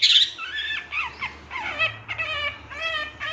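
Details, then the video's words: Long-tailed shrike, an untrained lure bird meant to prompt other shrikes to sing. It gives a varied run of whistled, warbled and slurred notes, rising and falling, some bending sharply, over steady background hiss. "Langsung Nyaut Pancingan Suara Pentet Bahan Agar Cepat Bunyi & Emosi"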